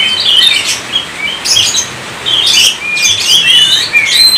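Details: Energetic song of an Oriental magpie-robin, known as kacer: clear, rising and falling whistles mixed with harsh, buzzy high bursts, sung in phrases with short pauses.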